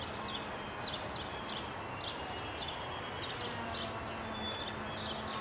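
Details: At a feeder, an American goldfinch repeats brief high descending notes, a few closer-spaced, with a constant low hum and rumble underneath.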